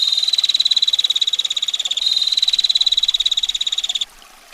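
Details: Long, close-packed run of shrill ticking notes from a female bar-winged prinia in the ngetir style, lasting about four seconds before it stops abruptly, leaving only a faint hiss of water.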